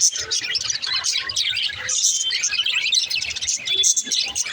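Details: Budgerigar chatter, lively and high-pitched: quick overlapping chirps, short whistles and scratchy warbles run without pause through the whole stretch.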